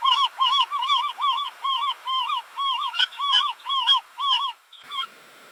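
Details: At a dockside with waves, a gull gives a steady series of about ten nasal, arched yelping notes, roughly two per second, ending in a quieter background hiss.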